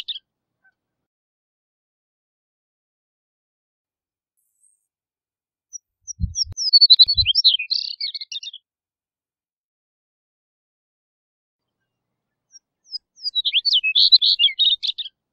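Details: Chestnut-collared longspur song: two bursts of bright, jumbled, tinkling warbled notes, the first at about six seconds and the second near the end, high-pitched and rapid, with a couple of low thumps during the first burst and silence between.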